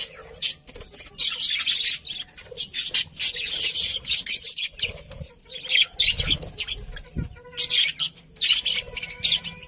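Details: Budgerigars chatter almost continuously in dense, scratchy warbling runs, with some faint wing flutter and soft background rumble.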